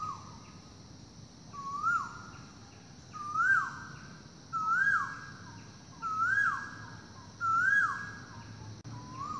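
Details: Asian koel calling loudly in forest during the morning: five whistled notes that swoop up and drop, spaced about 1.5 seconds apart, gradually louder, over a high steady insect drone.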